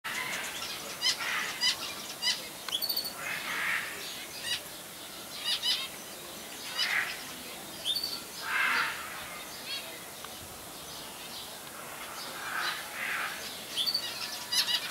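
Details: Zebra finches in a zoo aviary at Jaderpark, Jaderberg, Germany, 2017, give short, nasal beeping calls in irregular bursts, with faint chirps and fluttering wings.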